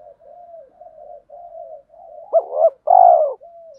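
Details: Spotted dove, male and female decoy birds, calling to urge others to coo back in challenge: a run of soft, level murmured notes, then two sharp clipped notes and one loud, purring, downward-curving coo.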